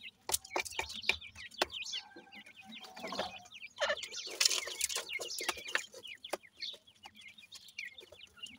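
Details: Grey francolin chicks feeding: a busy stream of short, thin downslurred peeps overlapping one another, mixed with sharp clicks and taps and a brief hoarse rasp near the middle.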